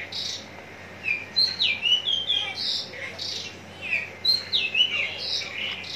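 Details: Javan bush lark from Citra Raya, Cikupa, prepared for contests, pouring out rapid high whistled slides mixed with buzzy notes in continuous, jumbled phrases.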